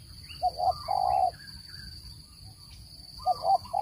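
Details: Spotted dove call used as a trapping lure: one full phrase of two quick coos and a long hoarse coo, a pause with faint chirps, then the next phrase begins. Constant thin high tone throughout.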